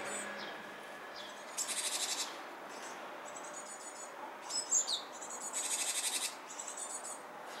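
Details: Japanese tit close to fledging, seemingly dawdling: repeated high buzzy rattling bursts mixed with short thin whistles and a sharp chirp, against steady soft background noise.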